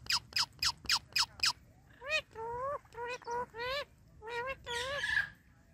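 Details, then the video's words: Tame Indian ringneck parakeet kept as a pet, talking without pause. Six quick sharp calls open, then a string of wavering, harmonic, speech-like syllables at mid pitch. "My Non Stop Talking Ringneck Parrot"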